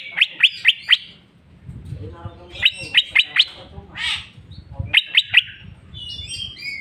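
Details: Greater green leafbird singing bongkar isian in full jamtrok style: three groups of four sharp rapid chips separated by rough, noisy interludes and a faint high chatter at the end.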